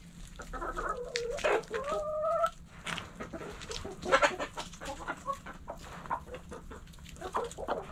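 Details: Backyard hens clucking in a coop: a drawn-out, wavering nasal call early on, then scattered short clucks and soft murmurs over a low steady background hum.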